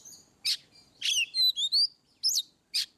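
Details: Ngeplong-style Oriental magpie-robin song, meant to prompt birds that rarely sing: isolated loud chips framing a middle run of rising whistled slurs and a sharp up-down note, with quiet gaps between.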